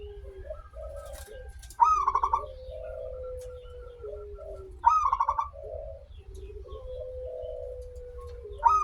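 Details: Local zebra dove in full song, used to coax others to sing: rattling, rapid-pulsed cooing phrases recur roughly every three seconds, separated by a sustained lower droning note and soft low background rumble.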